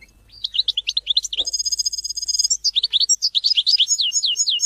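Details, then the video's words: European goldfinch song: rapid varied twittering chirps, a sustained high buzzy trill lasting about a second, then more quick liquid twittering notes continuing throughout. "Goldfinch songs to teach and motivate hunting and mating"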